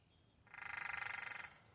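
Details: Woodpecker pecking a telephone pole: a single fast drumroll lasting about one second, roughly two dozen evenly spaced rapid taps, sharply starting and stopping, against a quiet background.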